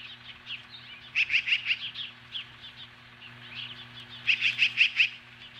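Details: Morning stand-off with magpies at an osprey nest near Lolo, Montana, July 15, 2015. The osprey gives two emphatic runs of about five shrill, evenly spaced chirps, with quieter chirps between them over a low hum.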